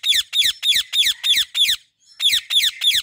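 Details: A female rose-ringed parakeet perched in a fully blooming apple tree gives harsh, shrill screeches, about three per second in a steady series, with a brief pause before three more.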